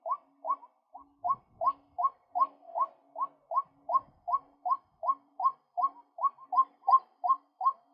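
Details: A male white-breasted waterhen's lure call: a steady, monotonous run of about twenty loud, hollow 'kook' notes, each sliding upward, repeated evenly every few tenths of a second.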